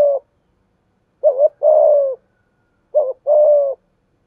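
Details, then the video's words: Spotted dove calling in the thổ style as a lure for training new birds; tail of one phrase, then two full phrases of a quick wavering note and a long level coo, about 1.7 seconds apart. "Thúc gù gáy gọi/ tiếng Cu gáy mồi giọng thổ pha hạp bổi kích mồi luyện bổi mới mỗi ngày"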